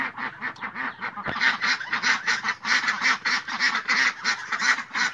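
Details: Ducks calling in a noisy group, hoarse nasal quacks in quick succession, with a brief thump near the start before the chorus swells.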